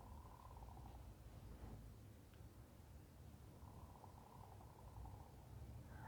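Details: A backyard garden chicken in autumn makes a sound its owner had never heard from a chicken before: a soft, low purring trill in two drawn-out bursts of about a second each, over a steady low rumble.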